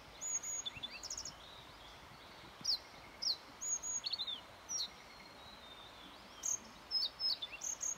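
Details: On 29 May 2021 a yellow bunting sings repeated short phrases of high, thin, tinkling notes, some slurred, some clipped, in uneven groups across eight seconds against a soft constant hiss.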